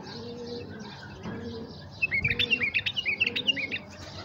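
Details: Tamed bulbul calling to draw in wild bulbuls: after a quiet start, a lively run of short, liquid whistled notes rising and falling in quick succession, with soft rhythmic dove coos repeating underneath.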